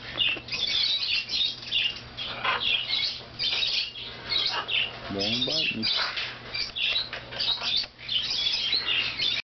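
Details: A 4-month-old female umbrella cockatoo in a pet shop whines in near-constant harsh, wheezy, high rasping bursts with only brief pauses. A short human voice breaks in near the middle.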